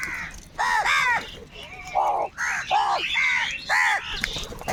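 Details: A huge gathering of crows squabbles over food, harsh nasal caws overlapping one another in quick succession, several birds calling at once in a dense, continuous clamour.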